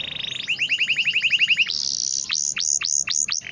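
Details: Canary song from a training recording meant to prompt reluctant, silent canaries to sing: a steady high tone, then a fast even trill of about a dozen notes, then sharp, high, down-slurred whistles repeated in quick succession.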